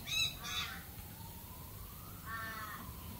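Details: Australian galah uttering a pair of quick scratchy screeches at the start, then a longer rasping, slightly nasal call after a pause, against low outdoor rumble.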